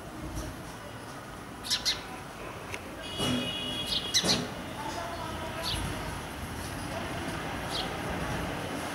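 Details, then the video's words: Indian house sparrow in India, giving a few short, sharp descending chirps scattered through the clip, loudest in a burst around the middle, over a steady low rumble of background noise. "Sounds of Indian Sparrow"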